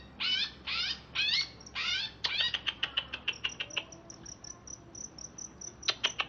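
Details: Greater green leafbird from Alas Purwo, Banyuwangi, kept caged and just bathed, chattering: four loud harmonic swooping notes, then a fast run of short clicking notes fading into thin high pips, with a final burst of sharp clicks.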